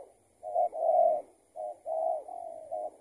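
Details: Trapping scene where a spotted dove, actually a loose tethered decoy, answers a lure. Three close, soft coo phrases, a brief note leading into a longer warbling coo, the last trailing off.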